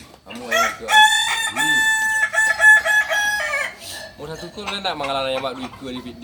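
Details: At a Sunday crowing practice in Ampangkualo, Kukuak Balenggek roosters give loud, strongly harmonic crows held in level steps for nearly three seconds. Then a second, wavering crow with lower, bending tones follows after a brief dip.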